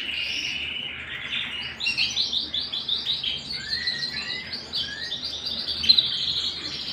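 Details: Home canary singing a varied phrase: an opening rolled note, then a string of quick pulsed syllables repeated several times a second, with short falling slurred whistles near the end.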